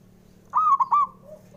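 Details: A male zebra dove of local stock gives a single bright cooing phrase, a long note then two quick pulses trailing off, meant to coax slow-singing birds; a faint lower coo follows, over a steady low hum.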